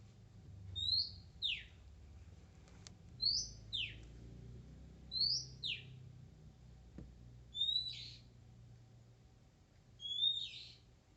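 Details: Wild Oriental magpie-robin, described as shy but persistent, singing five separate whistled phrases about two seconds apart, each a bright note dropping into a steep downward slur, over quiet background hum.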